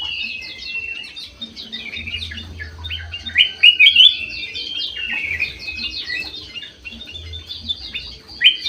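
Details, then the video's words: Bulbul, golden white-eyed type, singing actively in an aviary: a steady stream of overlapping chirps and twitters, peaking in a loud whistled flourish midway, with faint low hum. "KUTILANG EMAS MATA PUTIH SUPER GACOR"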